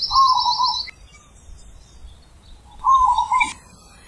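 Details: Wild zebra dove cooing in the big ulem manggung style, two rolling, stuttered coo phrases about two seconds apart, the first with a high, thin whistle from another bird over it.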